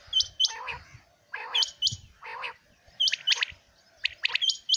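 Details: A Common Quail recorded in the morning in 2020 calls in quick bursts: sharp, high, liquid notes with lower throaty notes beneath, repeated roughly every second.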